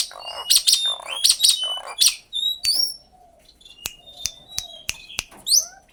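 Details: Common myna uttering rasping, chattering bursts mixed with high, gliding whistles, then sparse sharp clicks and short whistled notes, ending in a rising whistle.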